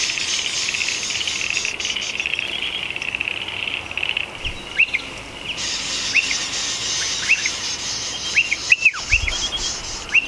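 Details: Striated pardalotes at a nest in a shed roof, entering and leaving, give short, sharp arched chip notes, singly and in quick pairs over the last six seconds, above a steady high insect drone.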